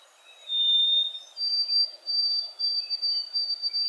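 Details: White-throated Sparrow song from an early-morning New Jersey recording, replayed in a room: thin pure whistles, one slightly lower note and then a long high whistle pulsing in short repeated pieces over a faint hiss.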